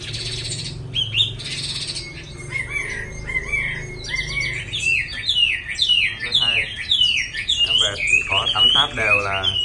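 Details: Caged Chinese hwamei offered for sale in Hanoi, Vietnam, previously kept by locals in a small cage that left its tail tip slightly blunt, singing a rich run of varied whistled phrases, some slurred and rising, with faint talk and background noise.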